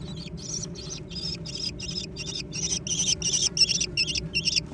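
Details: Young American kestrels squabble over food in a lively scramble; a rapid series of high, harsh squealing notes, nearly three per second, growing louder and sharper toward the end over a low steady hum.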